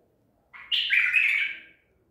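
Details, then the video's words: White-eared bulbul, a caught bird of Baghdadi type taken at Medical City, recorded 14 April 2021, singing one loud, rich, warbled phrase of about one second, rising then sliding down, in a quiet room. "تغريد بلبل طور بغدادي"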